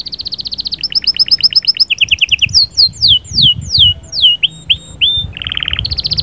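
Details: Canary song meant to excite the female for breeding, sahsahat and batbatat style: a sequence of quick repeated tours, then sweeping descending whistles at a slower pace, closing with a buzzy roll and a fresh trill.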